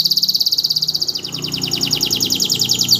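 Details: Canary kept as a tutor bird, in full song straight after moulting: a loud rapid pulsed trill that drops slightly in pitch, then continues as an even, quick rattling roll.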